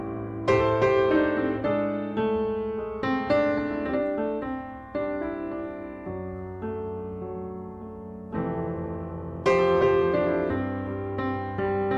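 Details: Only gentle piano music with sustained chords and no animal calls.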